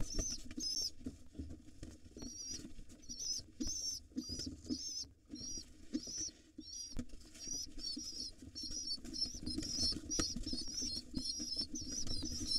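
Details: Wild rock pigeon nestlings in a nest box, overly excited and hungry, begging while their father feeds them: rapid bursts of thin, high squeaky peeps repeated almost continuously, over low rumbling, thumping and scuffling noises.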